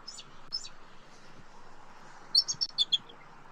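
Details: Bald eagle at night at a Southwest Florida nest, 2 November 2024, where the male has arrived after 1:56 AM and stays to protect it. Two faint high notes, then a rapid run of five or six loud, shrill piping chitters near the end.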